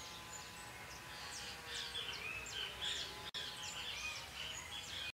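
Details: A chopi blackbird at Tupi Paulista, São Paulo, sings a fast, varied run of bright chirps, sharp rising whistles and squeaky notes, several each second, over a soft steady hiss.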